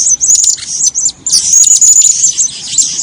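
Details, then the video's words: Shrill, high, thin twittering from a female blue-crowned hanging parrot, described as a keen caller fit for breeding, running almost continuously with short breaks and sharp squeaky accents. "suara burung serindit betina gacor"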